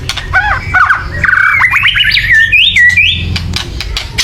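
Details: White-rumped shama giving a loud agitated chatter meant to stir birds into singing: a run of quick whistled upslurs and sweeping notes mixed with harsh clicks, with a low steady hum underneath.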